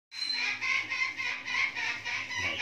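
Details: Newly hatched cockatoo chick being hand-fed. It gives harsh, buzzy, pulsing calls, repeated rapidly and steadily in a run of about eight bursts, with no other clear sounds.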